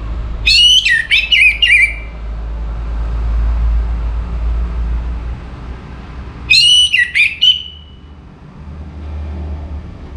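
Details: A captive orange-headed thrush in northern Bali sings just before morning, used as a lure for other birds: two rich, varied phrases of whistles and harsh notes about six seconds apart, over a low rumble.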